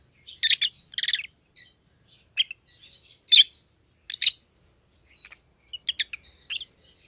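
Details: High, piercing chirps and rasping squeals from two white-headed opaline Rosy-faced Lovebirds kept as pets, loud stuttered notes near the start, then scattered single calls.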